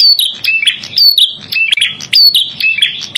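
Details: Red-headed prinia (prenjak kepala merah) singing for trapping and song training: energetic high chirps, each phrase starting with a sharp upward flick then a falling whistle and flat buzzy tail, repeated roughly every second over a faint low background.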